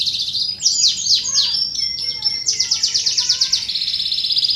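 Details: Canary song for training and luring contest birds and young birds: a varied phrase of sharp descending chips and clear thin whistles, moving into a fast rattling sequence and a steady high trill.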